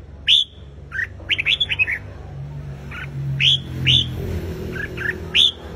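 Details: Red-whiskered bulbul singing competitively in the morning to provoke a wild-caught bird: scattered sharp upslurred whistles and a rapid run of five notes, with a low rumble like passing traffic midway.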